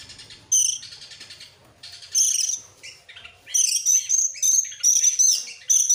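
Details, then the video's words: Oriental magpie-robin in excited tail-opening display: a quiet start with one brief high burst, then dense, sustained, piercing buzzy trills and rasping phrases running almost continuously. "sekali dengar langsung EMOSI NGOBRA GACOR BUKA EKOR, burung kacer nembak,Kacer gacor"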